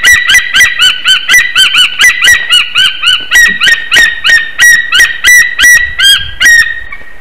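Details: White-tailed eagles at their nest in Slītere National Park, Latvia, on 1 May 2021 at about 3:23 PM, calling during a nest visit and mating: a fast run of about twenty yelping, clipped notes, steady and rapid, then stopping, with wind.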